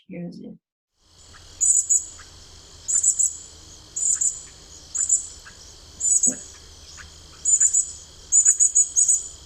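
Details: A young Northern Cardinal begs for its parent with thin, high chips in short clusters about every second, over a steady insect drone.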